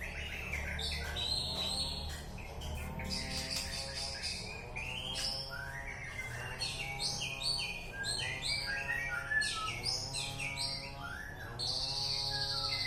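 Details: Murai batu (white-rumped shama) in Alue Ie Mirah, East Aceh, pouring out a rapid, varied run of chirps, whistles and trills for about thirteen seconds. A steady low humming tone runs underneath.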